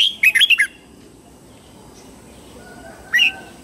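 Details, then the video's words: Red-whiskered bulbul giving its morning song: one quick burst of four or five bright whistled, warbling notes, then a long pause and a single short whistled phrase near the end. "Luyện giọng chào mào hót sáng hay nhất để luyện má trắng"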